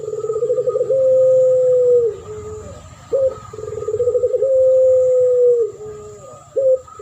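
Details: Lure duet of spotted doves in champion style: pulsing rolled opening, long steady low coo, lower tail note and short sharp note, repeated twice, with a steady electronic whine behind.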